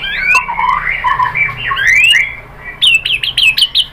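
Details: White-rumped shama lure song meant to make other birds answer: sliding whistles and warbling notes rise and fall, then a pause before a fast series of sharp, upswept chirps.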